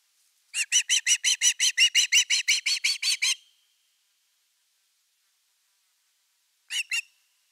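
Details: Osprey calling at its nest on an August 2021 evening around a fish delivery: a fast run of about fifteen sharp, piping whistles lasting three seconds, then silence and one brief burst of notes.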